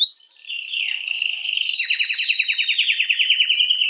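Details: Canary song played to stimulate females for mating: a continuous high warbling run that shifts into a fast rolling trill of rapid repeated notes, about three per second, clear and loud with no other sounds.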